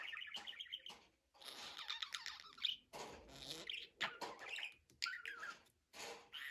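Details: Budgerigar warbling in a busy stream of raspy, buzzy syllables mixed with sharp squeaks and clicks, with a few brief gaps between bursts.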